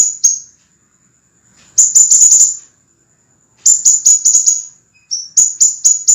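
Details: Scarlet minivet, recorded as a master for teaching cage birds: bursts of rapid, sharp, very high notes in dense runs of about a second, separated by brief silences, with one short, lower whistle.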